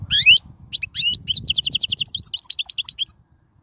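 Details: European goldfinch singing in the wild, recorded as teaching song for chicks: a loud sweeping opening note followed by a long run of fast, evenly spaced tinkling chirps that fades out.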